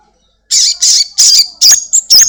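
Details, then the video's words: Caged black-winged myna from a home setting, used as a lure for another bird: six loud, rasping, buzzy bursts delivered rapidly, each roughly a fifth of a second long, some ending in a short whistled inflection. "Sogon gacor || Pancingan sogon rumahan agar cepat bunyi"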